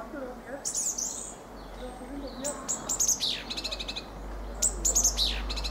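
A Fieldfare gives a jumble of high, squeaky, chattering notes and thin down-slurred squeals in three short bursts, over a low rustling background.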